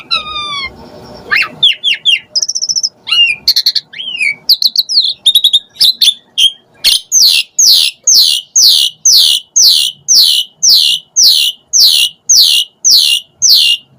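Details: Asian pied starling calls used as bait to get starlings calling and singing: a varied opening of whistles, trills and chatter, then a long steady run of loud, sharply falling notes repeated about twice a second.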